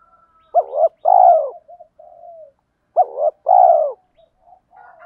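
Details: Decoy spotted doves call to provoke wild males into cooing back and fighting. Two matching phrases sound about every two and a half seconds, each a quick doubled hoot then a long, low, rough coo, with quieter murmured coos between.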